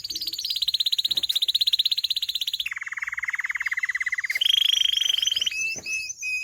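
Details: Canary song built of rapid rolling trills that switch pitch: a high buzzy roll, a lower deep trill, then a bright whistled trill, ending in short chirped notes.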